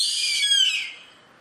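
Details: Yellow-headed caracara calling: a harsh, hissy scream spread across a wide high band, held steady and then sliding downward and fading over about a second and a half.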